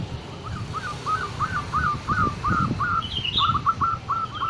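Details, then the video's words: Local zebra dove (perkutut) with a distinctive "crystal" voice gives a fast string of short, bright, slurred coo notes, about three a second, over a low rumble and a few faint higher chirps. "Perkutut Merbok Koyal Zebra Dove turtledove Ketir || Suara Unik Kristal"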